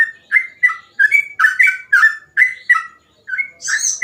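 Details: Fast gacor song of a sooty-headed bulbul, phrasing meant to be easily copied by an untrained bird: loud clear whistles in pairs, some rising, some falling, about three per second, ending with a high buzzy scratchy phrase.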